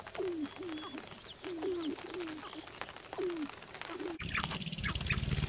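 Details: Sharp-tailed grouse displaying on a lek in northern Wisconsin on April 29, 2021: a series of low, hoarse, chuckling notes about every half second, then a sharp noise and broadband rumble with higher clucks.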